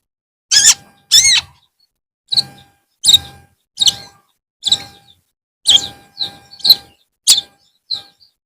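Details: Long-tailed shrike in the afternoon giving a series of about twelve short, harsh, high notes, some with rising strokes, spaced roughly half a second apart, over a faint steady hum.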